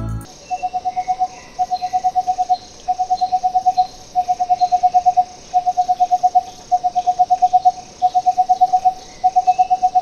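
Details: Crimson-fronted Barbet, endemic to Sri Lanka's tropical moist lowland forests, gives fast bursts of about ten hollow, low 'tuk' notes, each burst under a second and repeated roughly every second, with faint birds behind.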